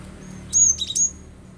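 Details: Cinereous tit singing to provoke other birds: a short, loud phrase of three or four piercing high whistled notes, thin and sharp, over a quiet background.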